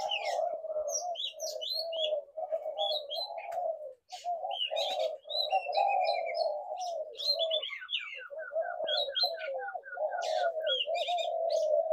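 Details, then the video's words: A dense chorus of low spotted dove coos with many high, quick chirps and twitters from other birds layered on top throughout. "Tiếng chim cu gáy"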